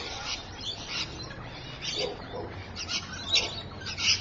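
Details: Rainbow lorikeet chatter from Evans Head, 26 May 2012: scattered piercing, raspy squeals roughly every second, with a few lower notes mixed in, over faint background noise.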